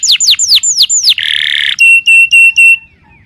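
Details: Canary song meant for training other birds: a run of sweeping descending whistles, a short harsh buzzy burst, then several clipped steady high notes fading away.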